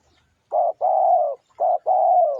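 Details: Spotted dove singing as a lure, two paired coos, each a short note followed by a longer mellow hoot, evenly delivered and low in pitch with no other sounds.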